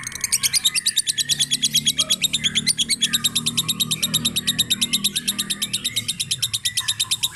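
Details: Fighter lovebird giving the "ngekek" call: a long, fast, steady stream of high, shrill, chattering notes, several per second, with continuous faint lower background sound.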